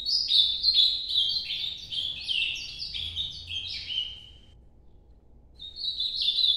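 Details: Ultramarine grosbeak, Nordeste-style noturno song: a long run of quick, descending, stepped whistled notes, a pause of about a second, then a new phrase begins.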